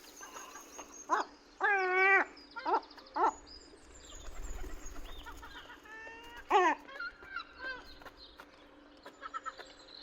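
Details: Seagulls being fed give a few loud, drawn-out squealing cries and short yelps, with quieter calls from farther gulls and a low steady hum underneath.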